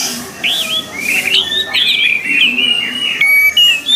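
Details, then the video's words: Captive-bird training recording of an orange-headed thrush, giving a continuous, melodic chain of slurred whistles, rising and falling, with a few clipped high notes near the end. "MELATIH SUARA ANIS MERAH AGAR CEPAT GACOR"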